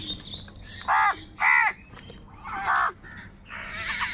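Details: Crows fighting for food, giving harsh, hoarse caws, three loud drawn-out calls spaced about a second apart, with fainter higher chatter and chirps between them.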